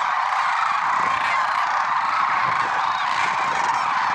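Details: A flock of lesser sandhill cranes on an early morning, 6 February 2023, at Merced National Wildlife Refuge, producing a continuous dense babble of overlapping rattling, honking calls.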